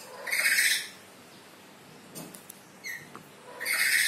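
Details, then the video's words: Black-capped lory calling from behind a window: two loud, harsh, buzzy squawks with rich upper harmonics, one at the start and one at the end, separated by quiet gaps with a few faint clicks. "BERKICAU DIBALIK JENDELA, BURUNG NURI KEPALA HITAM MERAH MAUNYA BERKICAU TERUS"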